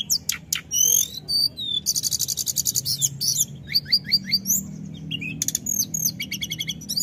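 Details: High-pitched 'gacor ngerol' performance by a snowy-browed flycatcher: sharp ticks and whistles open into a long rapid buzzy trill, followed by repeated chip notes and a second fast rattling burst.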